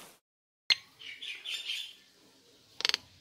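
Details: A female Nias hill myna gives a sharp click, then a second of warbling mid-high notes, followed by two or three harsh, rasping bursts.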